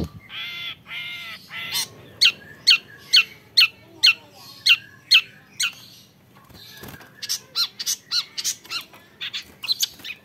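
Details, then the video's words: Young long-tailed shrike gives two buzzy, harmonic-rich grating notes, then a regular series of sharp high chips about every half second, a brief lull, and further mixed chips and hooked calls. "MENYAKSIKAN GAYA CENDET MUDA"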